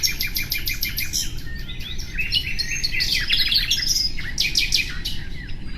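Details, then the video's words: Common nightingale singing: rapid runs of repeated sharp notes and dry trills, then a burst of bright, high chattering phrases near the end, over a steady low rumbling background noise. "Bülbül sesi"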